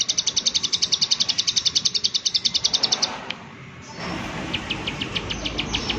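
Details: 'Klik klik' call of a prinia: a steady, rapid series of high, dry clicks for three seconds, fading to a few sparse clicks over rustling background noise.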